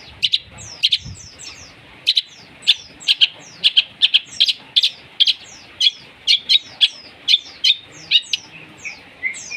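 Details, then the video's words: Long-tailed shrike delivering imitated sparrow-fight and lovebird sounds as a lure: evenly spaced sharp chirps, each with a thin downslurred squeak, repeated several times a second. "Cendet materi greja tarung & love bird || PANCINGAN CENDET"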